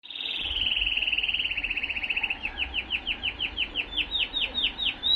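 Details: A male Timbrado canary sings a fast, even, high trill for two seconds, then a slower string of bright, bouncing notes, about four each second.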